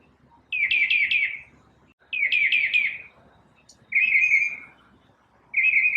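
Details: Morning song from a lone bird: stuttering phrases of quickly repeated sharp notes, followed by a sweet warble, each phrase separated by a pause of about a second.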